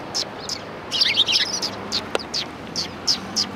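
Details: Sparrows at a Tenmangu shrine, March 4 2020, make high, evenly spaced chirps roughly every third of a second, with a denser twittering burst in the middle.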